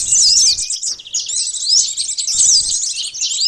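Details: Sunbird song used as a lure for attracting birds: dense, high, thin twittering of rapid sweeping notes, broken by short pauses near one and two and a half seconds.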